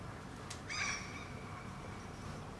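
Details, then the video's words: Two common gulls (Larus canus) call back and forth in Helsinki, Finland, in June 2013: one short, nasal, squealing call trails off into a faint thin tone, with a soft click just before it. "Dialogue between two Common Gulls"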